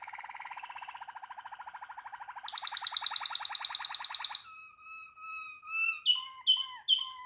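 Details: Waterslager canary singing: a fast, even low roll, then a brighter, higher rapid trill, then slow, clear, bell-like notes that rise and fall, each separated by short pauses.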